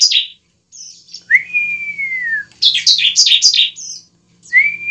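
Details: Bar-winged prinia fighting song to lure a kept bird into singing: long, slightly falling whistles alternate with a quick run of harsh, high chips.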